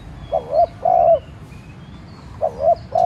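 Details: Decoy spotted dove calling to provoke other doves: paired coos repeated, each a short dipping note followed by a longer level coo, with faint thin whistles of other birds.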